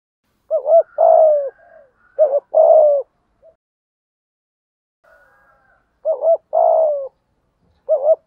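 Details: Decoy spotted dove with a 'thổ' voice giving full 'thúc gù' lure cooing. Three low phrases, each a quick doubled note followed by a long, falling, throaty coo. Faint higher chirps sound between phrases.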